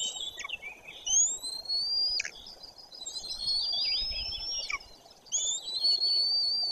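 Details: White-tailed eagles at a nest in the Bory Tucholskie forest, Poland, as a parent arrives while the younger chick does not react. High, thin, drawn-out whistled calls rise slightly and end in a sharp drop, several in a row, with faint background hiss.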